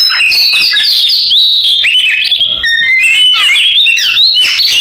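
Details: Oriental magpie-robin song in canary-imitating style: a dense, continuous stream of bright, high whistled notes and rapid trills, sliding up and down with short sweeping phrases throughout, with no other sounds.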